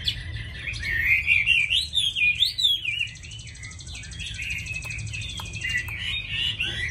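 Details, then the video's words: Chinese hwamei kept in a cage in Vietnam, described as a keen singer with a good voice: rich, rapid high warbles, briefly broken by a steady thin tone in the middle, then resuming. "Mi thuần hót tốt mau mỏ đẹp"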